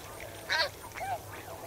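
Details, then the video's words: Snow geese in a flock calling while swimming and wading in water: two harsh, nasal honks with clear harmonics about half a second apart, then a softer falling note, over a steady low background hum. "Snow Goose. MCU Calls From Flock While Swimming And Wading In Water."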